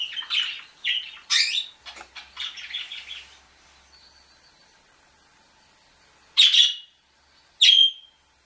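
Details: Canary begging food from a budgie: a few squeaky chirps and scratchy chatter in the first three seconds, a quiet pause, then two loud, harsh squawks near the end.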